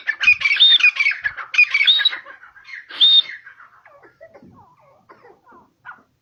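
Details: Grey francolin in natural habitat, Pakistan: three loud, ringing whistled phrases, each with a rising then falling note. Quieter scattered chirps and chatter fade out afterward.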